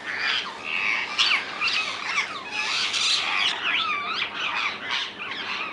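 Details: Several wild rose-ringed parakeets calling in the Netherlands. Rasping, scratchy squawks with rising and falling bent notes run almost continuously, several birds overlapping at a steady loudness.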